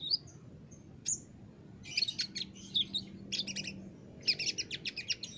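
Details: Olive-backed sunbird in an Indonesian master recording for training caged birds, singing energetically: scattered high thin chirps, then dense bursts of sharp, rapid twittering notes from about two seconds on, with a faint low hum underneath.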